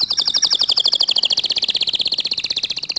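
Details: Canary song said to provoke other canaries into singing: a fast, even trill of short high chirps, about four per second, slowly sliding lower across the phrase. No other sounds are clear.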